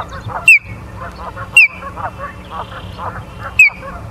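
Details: Ospreys at their Charlo, Montana nest, 24 August 2023, 17:43, utter three loud falling whistles about a second apart, with softer chattering notes and a steady hum in between.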